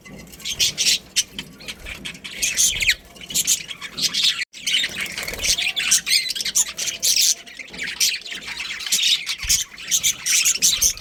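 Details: Budgie colony with a breeding pair, a thick wall of high, scratchy chirps and squawks from many birds, near-continuous with one short pause in the middle.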